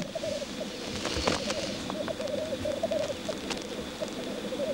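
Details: Black grouse display at a lek, with dense, rhythmic bubbling gurgles pulsing continuously and one hissing burst near the second second.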